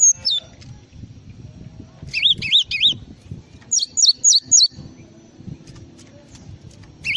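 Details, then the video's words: Java sparrow on a tutor recording for songbird training: a falling chirp, then three wavy warbled notes, four rapid descending chirps and a final chirp, separated by gaps of low background rumble. "masteran burung gelatik"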